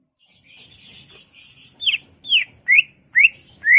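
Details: Greater green leafbird in ngentrok song with isian, aimed at provoking other leafbirds. Soft chattering first, then four loud slurred whistles about every half second, rising in strength.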